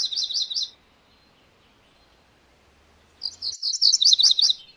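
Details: MacGillivray's warbler giving two rapid, high chippy song phrases, one at the start and a longer, louder one after a pause of about two and a half seconds.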